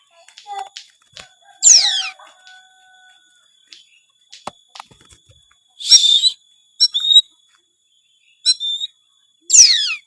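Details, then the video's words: Oriental magpie-robin (kacer) singing in the gacor full-isian style, packed with varied inserted phrases; sparse bursts of sharp descending whistles and buzzy notes separated by long silent gaps, with a faint thin whistle early on. "suara kacer gacor full isian"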